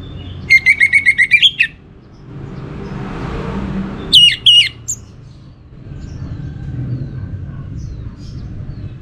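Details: Orange-headed thrush singing a pancingan lure song: a quick string of about eight sharp whistled notes, a pause with passing traffic noise, then a second shorter burst of higher notes.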